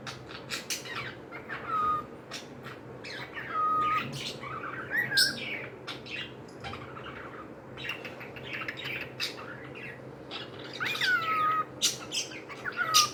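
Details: Lively chatter from pet cockatiels, with dense bursts of sharp chirps interspersed with short falling whistles, continuing throughout over a low background hum.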